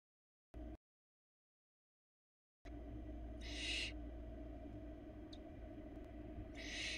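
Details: Four hungry barn owl nestlings, Florida nest cam, female bringing a rabbit: after a pause, two breathy hissing screeches several seconds apart with a faint click, over electrical hum.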